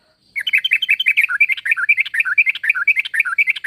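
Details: Rapid run of bubbly, warbling sooty-headed bulbul notes, rising and dipping without pause, sung as a call meant to bring other bulbuls to respond.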